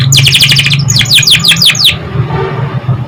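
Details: Canary song for stimulating young canaries: two quick series of sharply descending repeated notes, the first very rapid, the second slower and louder, ending abruptly after two seconds; low hum continues.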